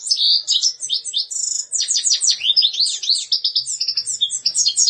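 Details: Short burst of European goldfinch song, bright twittering notes interspersed with dry buzzes and fast slurred chirps delivered in quick succession.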